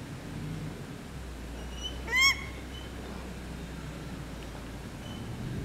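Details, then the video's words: A male paradise shelduck eating grass, with male and female calls: a single loud, shrill, harmonic honk lasting a fraction of a second over a low steady rumble of wind or background noise. "Male paradise shelduck eating grass (male and female calls)"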